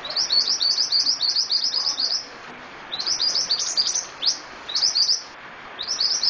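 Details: Actively singing (gacor) scarlet-headed flowerpecker gives long rapid strings of high, sharp, twittering chirps, the first run lasting over two seconds, followed by shorter bursts and brief pauses.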